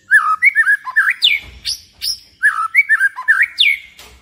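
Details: White-rumped shama song, recorded in the late afternoon and used to provoke other shamas to sing: rich whistled phrases of rising and falling notes, two similar sequences each ending in a sharp high downslurred whistle.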